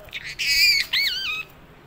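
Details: Talking parrot, known locally as mitthu or tota, giving two loud, harmonic, speech-like utterances: a steady, slightly nasal phrase followed after a short pause by a wavering, rising-and-falling one.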